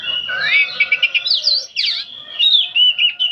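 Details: Nonstop nyerecet chatter from an old oriental magpie-robin: a continuous stream of bright whistled slurs, swoops and quick trills, with sharp rising and falling notes, over a faint steady lower tone.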